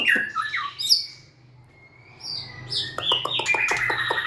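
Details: White-rumped shama with a few varied whistles and a high chip, a long thin sustained tone, then a dense stretch of rapid clicks and whistled notes.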